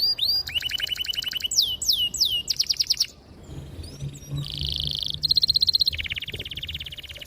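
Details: Canary song meant to stimulate young birds to sing: fast stacked trills, sweeping upslurred whistles, a quiet gap with faint low sounds, then a ringing steady roll and rapid trilled tour.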